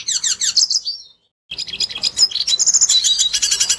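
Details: Red siskin song used as a lure to get other birds singing, original recording: rapid high buzzy twittering with quick down-slurred notes, a brief pause, then dense chattering phrases resume.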